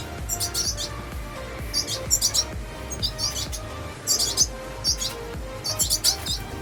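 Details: Young red siskins at feeding time during breeding: bursts of thin, very high chirps in clusters about every one to two seconds, fainter, over a low background hum.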